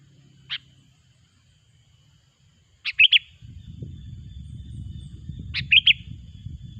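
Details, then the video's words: Sooty-headed bulbul song for luring bulbuls into traps: a lone short note, then two quick three-note whistled phrases, with a rumbling low background noise rising partway through. "suara burung kutilang gacor pikat terampuh"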